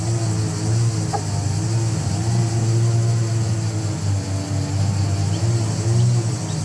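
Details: A loud, steady low engine drone fills the recording, with no animal voices heard.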